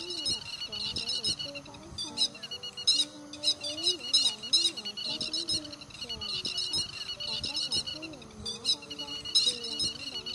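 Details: Stilt calls used as a lure to call in flocks of migratory birds, 2020 season, August, mixed with calls of another wader. Dense, rapid, high chirping bursts repeat in clusters, over lower gliding tonal sounds.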